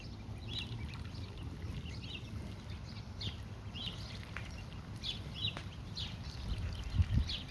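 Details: Baby ducks peep repeatedly while foraging outside, bright short high notes scattered every second or so, with a low steady rumble and a soft thump near the end.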